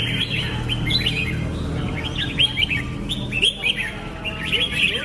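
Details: Red-whiskered bulbul: lively series of chirpy, liquid notes bending up and down, delivered in quick clusters with short gaps, against faint low-pitched background noise.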